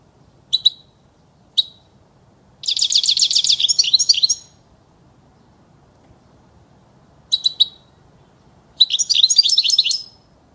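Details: European goldfinch singing, a recording meant for tutoring young birds: paired high chirps lead into a rapid, liquid twittering phrase with buzzy trills; more chirps and a second jingling phrase follow after a pause. Faint hiss behind.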